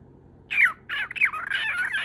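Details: Lutino cockatiel kept as a pet, calling to seek attention from its owner; harsh squawking notes, one loud rasping call then a run of shorter scratchy calls over about a second and a half, indoors.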